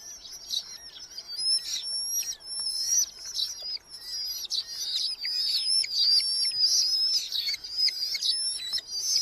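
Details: A nest box of young Red-footed falcons in a large colony in Hungary, July 2025, fills with fast, quavering, high squeals from several chicks, overlapping continuously with brief rustles.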